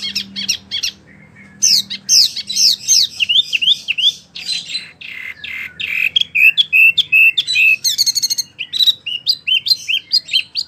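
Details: Lively wambie mini song for tutoring competition birds: rapid run of rising and falling whistled notes, zigzag slurs and chirps, strung together almost nonstop at roughly two and a half notes per second.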